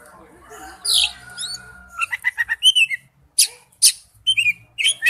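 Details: Oriental magpie-robin singing a wild-type forest song: scattered whistled notes and harsh high bursts, with a long faint steady tone early and quiet gaps between phrases.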